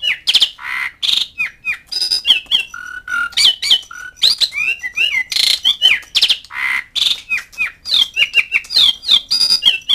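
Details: Asian pied starling calling to mates and rivals: a busy run of harsh squawks, rattles and short whistled notes, some sliding down, packed closely across ten seconds with hardly a pause.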